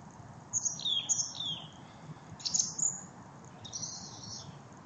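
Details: Singing thrush delivering three separate high phrases of thin whistles and squeaky chirps, each about a second long with short pauses between, against a constant low rumbling background.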